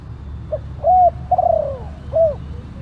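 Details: Spotted dove calling, recorded to attract wild doves: a short opening note, steady coo, a trilled coo falling in pitch, and a final arched coo, with a low hum underneath.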